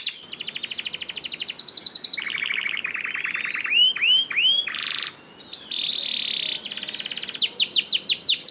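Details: Canary song to prompt other canaries into singing: alternating buzzy rolls, pulsed trills and flat tones, broken by clear upward-curving whistles and a final string of falling notes.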